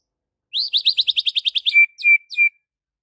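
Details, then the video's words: White-rumped shama singing in full 'gacor full isian' style: a fast run of about a dozen bright, rising chirps roughly six per second, then three clear, short whistles at a lower pitch. No other sounds, clean background. "Murai Batu GACOR FULL ISIAN"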